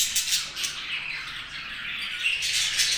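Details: Budgerigars chattering happily, a brief continuous run of high squeaky warbles and rasping chirps with a few sharper squawk accents.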